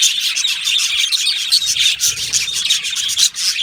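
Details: Aviary colony of yellow male budgerigars giving nonstop raspy chatter, a busy mix of grating warbles, clicks and brief whistled notes packed tightly together, with a few louder bursts near the end.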